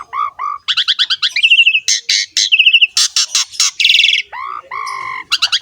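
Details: Asian pied starling song used to train young starlings and lure them into singing: loud, varied phrases of whistled slurred notes, rapid buzzy bursts, harsh grating notes and short chattering trills, switching quickly between high and middle pitches.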